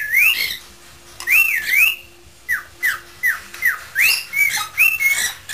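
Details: Pet parrot improvising a tune indoors, with a second bird adding squawks: looping whistled warbles, then a series of short, sharply falling whistles about every half second, mixed with rasping squawks.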